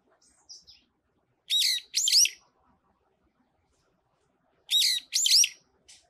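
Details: Brown-eared bulbul singing atop a pine tree: loud, squealing, rising two-note phrases about three seconds apart, with a few faint thin chips between.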